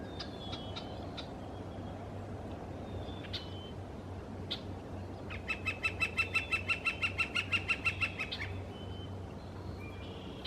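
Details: A red-shafted form of northern flicker, recorded on a British Columbia west coast morning, gives a fast, steady string of about twenty loud notes after scattered chirps and whistles from other songbirds.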